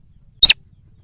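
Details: Sintar sawah lure note for attracting wild birds: one quick, harsh, high squeak with stacked bright overtones, a little low rumble behind.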